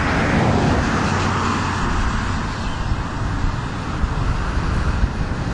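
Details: Steady roar of road traffic with passing vehicles, with no animal voices heard.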